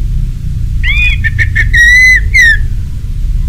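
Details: Orange-headed thrush singing in the ngeplong style, used as a lure recording to prompt other birds to sing: clear whistled phrase of sliding notes, then a long level whistle and a falling slurred note, over a low steady hum.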